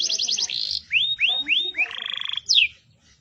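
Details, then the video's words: Yellow domestic canary singing a fast, high, tinkling trill, then four quick rising whistled upsweeps, a rapid rattling trill with a lower buzzy undertone, and a sharp falling note at the end. "yellow canary that makes noise"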